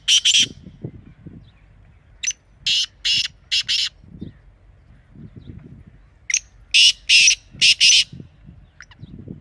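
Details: Loud grating call of a black or desi partridge: two groups of four to five harsh rasping bursts, with soft low knocks and rustling sounds underneath between the calls.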